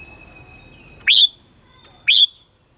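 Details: Red-whiskered bulbul morning song in the mature wild-forest style, used as lure sound for training caged birds: two sharp, bright chirps about one second apart, following a faint steady tone and low background noise.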